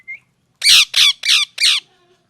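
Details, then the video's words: Parrot giving natural chirps: a short rising whistle, then four loud, harsh, broad squawking calls evenly spaced about a third of a second apart. "natural mithu chirping sound|| parrot chirping"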